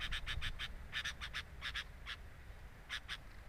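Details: Sooty-headed bulbul at its nest, recorded by a camera placed at the nest: short harsh buzzy notes in quick pairs and clusters, then a pause and a final pair, over a low steady rumble.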